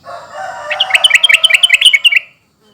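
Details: Sooty-headed bulbul lure call, used to make silent birds answer: a fast run of about fifteen bright, bubbly chirps climbing and falling, packed into under two seconds, over a steady lower droning tone.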